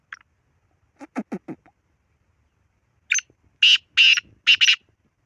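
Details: Black francolin: a short series of lower pulsed notes, then a loud grating phrase of four harsh, ringing bursts.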